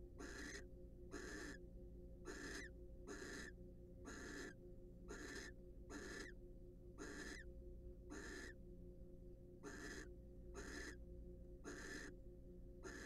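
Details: A pair of wild barn owls preening and courting in a monitored nest box; a long run of fourteen short, harsh hissing calls at roughly one per second, over a constant low hum.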